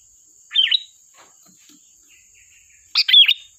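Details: Sooty-headed bulbul in sharp 'tembakan' song used for luring: two liquid, twisting phrases separated by a short gap with faint soft chips, over a continuous thin high tone.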